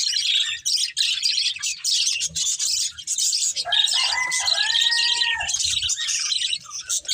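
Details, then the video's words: Budgerigar breeding pair and family keeping up a busy, high-pitched chirping chatter of scratchy twitters; a rooster crows in the background midway, a long drawn-out call beneath the budgie chatter. "Colourful Budgies Chirping Sounds"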